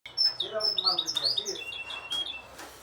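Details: Several goldfinch hybrids singing together, a rapid mix of bright twittering notes, short downslurred whistles and sustained high trills, dense overlapping phrases from more than one bird.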